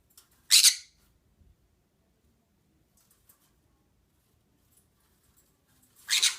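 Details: Pet green-cheeked conure indoors making noises: two harsh broadband squawks, one near the start and one at the end, separated by about five seconds of near silence.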